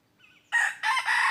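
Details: A faint thin whistle leads into a loud hoarse red junglefowl crow of three joined parts. Recorded 23 January 2022 while wild junglefowl were drawn in with a decoy.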